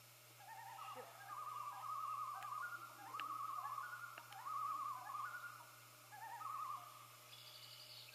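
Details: Common loons call to announce the hatching of the first chick: repeated wavering tremolo phrases, rapid quavering notes held near one pitch, in bursts through the clip, with a faint higher sound near the end.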